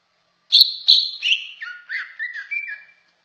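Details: Greater green leafbird singing a descending sequence of bright whistled notes that drop into lower, sweet slurred whistles, about seven notes in under three seconds.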